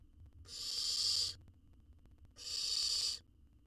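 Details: Wild baby owl in a research-monitored nest box, being fed a jird that it swallows whole; two harsh, hissing, breathy bursts, each just under a second, separated by a short quiet gap with faint low background rumble.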